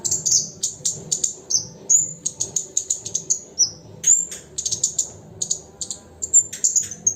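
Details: Lesser shortwing in full song, a fast, continuous medley of piercing high chirps and short whistled slides with scarcely a break.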